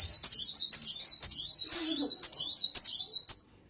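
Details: Brown-throated sunbird singing actively while wagging its tail: a thin, very high twittering phrase repeated about every half second, each a quick rising and falling squeaky note.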